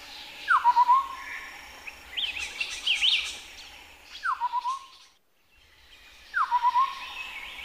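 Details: Chestnut-headed partridge calling at Bokor National Park, Cambodia: three phrases, each a downward whistle then a rapid string of short steady notes, between busier chirping of other birds and a brief silent gap.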